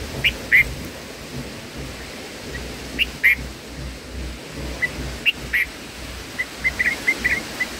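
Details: Feeding time at a black-headed bulbul nest: paired high chips recur every few seconds, ending in a rapid run of thin, quick notes from the young, against faint background noise.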